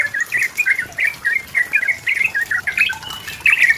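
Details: Yellow-vented bulbul singing to provoke a rival. Short bubbly phrases of bright warbled notes, repeated in quick bursts.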